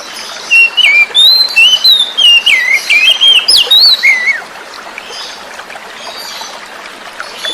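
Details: Oriental magpie-robin from the forest singing to draw out silent birds: a rapid sequence of loud, clear whistles stepping up and down for about four seconds, followed by steady flowing water with distant high chirps.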